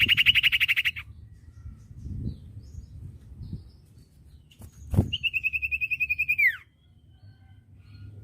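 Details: Common iora (cipoh) singing on a recording meant to train young birds; long rapid trills of even, repeated notes, the second trill ending in a steep downward slur, with soft thumps and a low background hum.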